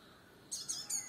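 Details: A sunbird on a firebush in Kerala, India, gives three very high, thin, sharp chips in quick succession, about a fifth of a second apart, after a moment of near silence.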